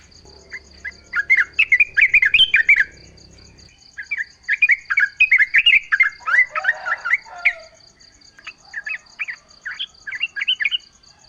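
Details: Chattering yellow-vented bulbul song used as a lure so other bulbuls reply: three bursts of rapid, jumbled up-and-down chirps separated by short gaps, backed by a steady high pulsing insect-like tone.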